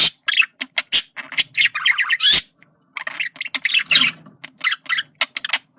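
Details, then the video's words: Communication sounds of a male budgerigar: busy warbling chatter mixed with harsh squawks and clicks, pausing briefly midway before resuming. "sonido de comunicación de periquito macho"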